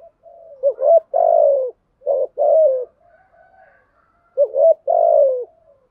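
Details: Deep rhythmic coo of a spotted dove, 'gù thúc' pattern in 'thổ' style: three phrases of a short rising note and a longer downslurred coo, with a faint drawn-out whine between them.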